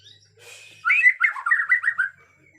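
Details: Bornean white-rumped shama, agitated, in natural forest: a brief burst of rich, rapid, jumbled whistled notes lasting just over a second.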